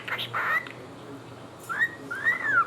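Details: A pet cockatiel (Nymphicus hollandicus), which also talks, gives clear, arching whistles, rising then falling, as it calls the cat.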